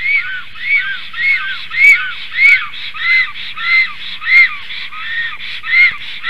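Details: Nesting Black Stork pair, male and female, driving off an intruding stork near their nest at 11:42 on 12 July 2023: steady, rhythmic, wheezy double-toned calls repeated roughly every 0.6 seconds, about ten in a row.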